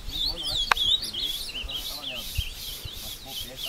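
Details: Ultramarine grosbeak taken to the woods at Passos, Minas Gerais, Brazil, singing while fighting a wild bird; rapid warbled whistles run throughout, broken by a sharp click and rubbing noises, with voices low behind.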